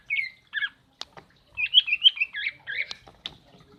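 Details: Female common iora calling to stimulate a non-singing male: short buzzy chattered notes and quick whistled chips in an uneven burst, with a few sharp clicks.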